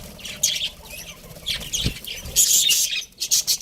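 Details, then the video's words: Budgies from a pet breeding pair chattering in short high bursts, with a soft flutter or knock partway through and a louder burst of chirps near the end. "cute budgies chirping sounds"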